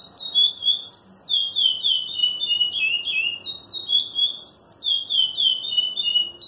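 A Chestnut-bellied Seed-Finch delivers a continuous run of clear, high whistled notes, sliding and slurred, in quick linked phrases of the pelado song style.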